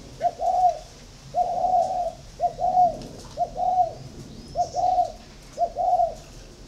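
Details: A spotted dove competing with a decoy repeats soft, low two-part coos: a brief lead note followed by a fuller hollow tone, about six phrases with quiet gaps between.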